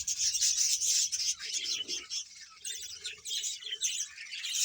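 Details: About 100 pairs of budgerigars in a Bahawalpur colony, producing quick repeated high chirps and twittering, loudest at the start, then a steady chattering chorus.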